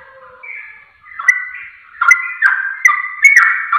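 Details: Sooty-headed bulbul song as a lure to provoke replies; soft, drawn-out whistles open, then louder bubbly slurred notes follow in quick irregular bursts.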